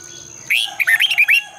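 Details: Red-whiskered bulbul lure song for morning training, double twisted voice: one rapid phrase of six or seven bright, bubbling whistles in under a second.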